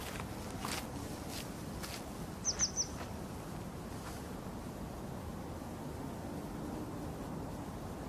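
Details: A grey wagtail (Motacilla cinerea), possibly the eastern caspica form, gives three quick, sharp, high metallic notes once, over steady low rushing background noise and a few soft clicks.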